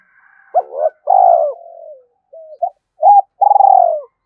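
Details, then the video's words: Spotted dove cooing played to provoke wild doves: a double hoot and long falling coo, soft short notes, then another hoot and a long pulsing coo. "Tiếng cu gáy thúc gù tốc độ/ cu gay kich boi nhanh noi gù"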